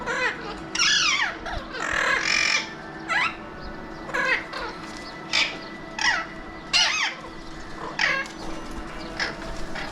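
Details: Alexandrine parakeets, also called mountain or pahadi parrots, watched from a window in Mumbai, India. Harsh, loud screeching calls come in bursts of downward-sweeping notes, several birds calling back and forth.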